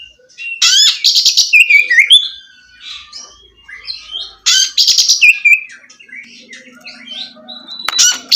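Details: Oriental magpie-robin singing, played to stimulate a bird that has stopped singing. Two loud bursts of buzzy, rasping chatter are each followed by slurred whistles, with softer scattered twittering between them and a faint low hum.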